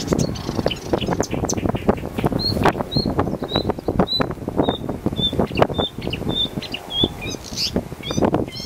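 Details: Marsh warbler singing in Zuid-Kennemerland, Netherlands: a run of short, high, sharp notes repeated about twice a second, with brief chattering bits, over loud rustling and low wind noise.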